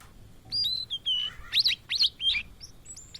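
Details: Singing blue-and-white flycatcher, a migrant species often found in Indonesia, giving a phrase of sweet slurred whistles that rises into several sharp, bright, rapidly descending notes, ending with thin high whistles.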